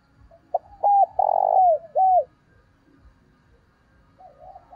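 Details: Lure cooing from a decoy spotted dove meant to attract others: a single phrase of a short pip, two arched notes, a long note and a closing arched coo, with faint cooing afterwards.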